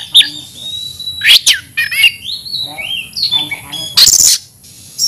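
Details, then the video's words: An aggressive Oriental magpie-robin in fighting song gives sustained high whistles, quick upward and downward slurs, and a few harsh scratchy bursts, all spaced by short gaps. "kacer gacor tarung ngotot agresivitas bikin dongkrak emosi bongkar materi"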